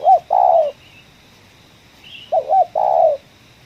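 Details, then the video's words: Spotted dove in the 'ngeruk' calling style, lured at a coffee plantation: a short hooked note and a longer rough, buzzy coo, then the same pair again about two seconds later. "tekukur suara ngeruk, kuk 1"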